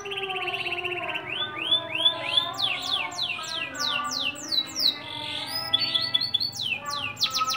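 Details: Local green canary, a frequent winner at competitions in Gresik, sings a continuous high-pitched song of fast rolling trills and repeated rising whistled sweeps, changing phrases every second or two.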